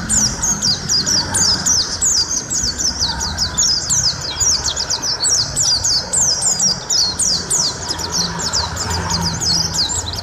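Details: White-eye (pleci) in extended, fast song: rhythmic high chirps and thin descending whistles repeating in quick chains across the whole stretch, with low ambient rumble.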